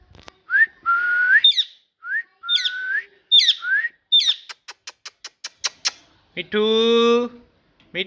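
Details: Parrot talking with rising whistles and squeaky chirps in close succession, a quick series of crisp clicks, then a drawn-out buzzy, nasal note rich in overtones near the end.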